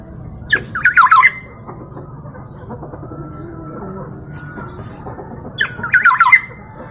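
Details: A local East Javan black-naped oriole, noted for many song variations, gives two loud bursts of rich fluty notes mixed with harsh squawks, about five seconds apart, over a faint low hum.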